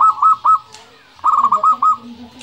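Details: Vocal local zebra dove singing the 'nembak' song used as a lure for other doves: two loud phrases of quick mellow cooing notes, the second a run of about five rolling pulses after a short pause.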